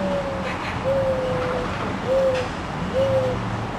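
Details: Mourning dove at its nest in May 2011, likely the female calling her 4-5-day-old young before feeding them: four soft, low, hollow coos, each slightly falling, about one a second, over steady hiss and faint hum.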